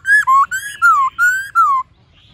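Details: A white-cheeked laughingthrush sings a run of six rich whistled notes, alternating higher and lower, each slurring downward, delivered rapidly in under two seconds.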